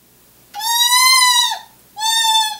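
Eastern Screech-Owl giving two harsh, raspy screeches: a long, slightly arching note of about a second, then a shorter one. Background is otherwise quiet.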